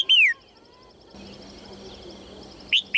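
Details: A female red-whiskered bulbul gives a single loud, clear whistled note that slides downward, then, after a quiet stretch with a low hum, starts a new sharp phrase at the end. The calling is meant to encourage males to sing.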